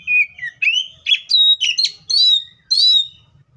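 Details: Oriental magpie-robin singing in the wild, a rich run of clear whistles, slurred rising and falling notes and harsher chirps, delivered in quick succession with short gaps.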